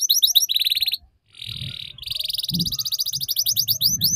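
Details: Song meant to teach young canaries the ngeriwik sound: quick falling chirps, a buzzy trill, a short pause, a flat buzz, then a long run of fast repeated notes with low background rumble.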